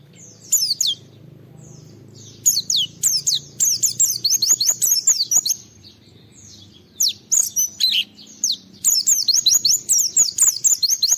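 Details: Oriental white-eye in energetic 'gacor' song, used as a lure to make other white-eyes answer and sing: bursts of high, thin, rapidly slurred descending chirps, several per second, with a short quiet pause midway.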